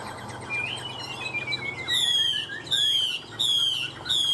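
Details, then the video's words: A Chinese hwamei praised for tireless, warbling song gives a long falling slide of a whistle, then three loud repeated ringing notes with buzzy overtones. "Họa mi hót như máy - Hót ko bỏ mỏ"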